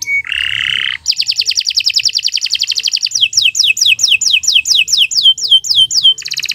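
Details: Canary singing a long morning song. A buzzy note opens into a rapid, even trill, followed by quick downward-slurred whistles repeated about three times a second and a final fast trill.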